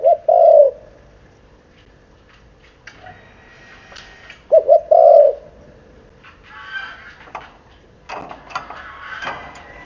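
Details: Seven-month-old spotted dove giving short low coos, a brief coo at the start and a doubled coo near five seconds, separated by quiet gaps with faint chirps and rustling noises later.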